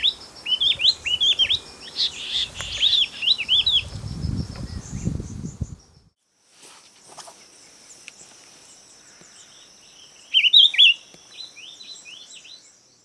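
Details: Tawny-breasted wren-babbler (Spelaeornis longicaudatus) in Meghalaya: rapid runs of sharp, high chirping notes over about five seconds, then a short burst again later, with faint insect hiss and low rumble.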